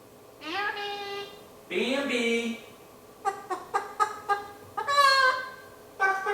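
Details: Indoors, a young male eclectus parrot imitates a chicken, giving two drawn-out nasal calls, then a rapid string of short clucks and a final rising squawk.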